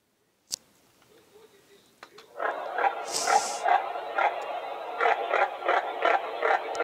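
Red-breasted merganser giving harsh, rasping croaks in a fast, uneven series of two or three grunting notes a second, with a sharp click and a brief hiss.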